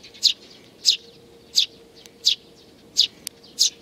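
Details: On 8 May 2019, sparrows including a balding bird with nestlings utter six loud, high chirps at an even pace of about one every 0.7 seconds, over a faint steady low hum.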